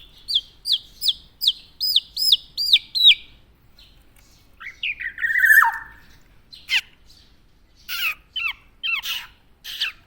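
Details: Tame black-naped oriole singing a quick series of about eight identical arched whistles. A long harsh buzzy rasp follows, then scattered sharp downslurred chirps.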